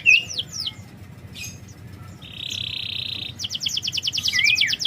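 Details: Canary song for coaxing a reluctant canary to sing: a few whistled swoops, a steady buzzing roll, then a rapid chattering trill and a slurred descending whistle.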